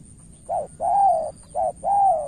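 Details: Spotted dove, a decoy bird in Cà Mau, Vietnam, trying to win over a seasoned rival: a short coo and then a longer, slightly falling hum, given twice, over a faint steady high whine.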